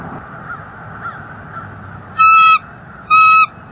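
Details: Bald eagle at a North East Florida nest, January 30 2024, with an intruder eagle nearby; after faint background murmur, two loud, even, harmonic notes about a second apart, each lasting roughly a third of a second.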